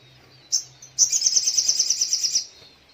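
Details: Little spiderhunter singing in the morning: a sharp high note, then a fast, even, high-pitched trill of about fifteen clipped notes lasting over a second, with a low steady hum beneath.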